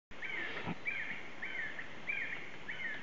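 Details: Black-necked red-cotinga in Yasuni, Ecuadorian Amazon lowland forest, giving short, slightly buzzy mid-pitched notes, about five in three seconds, over steady forest hiss.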